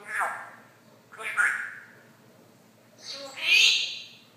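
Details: Talking by a one-and-a-half-year-old Congo African grey parrot: loud, hoarse, speech-like phrases in three bursts, the last higher and more strained, with a quiet room behind.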